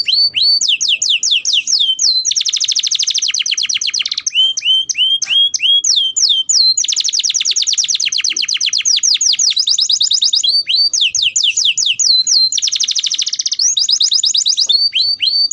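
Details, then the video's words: Canary song used for training young birds to sing, a long loud sequence of rapid high trills, dense buzzy rolls and sweeping whistled notes alternating continuously without pause. "kenari paud agar cepat bunyi"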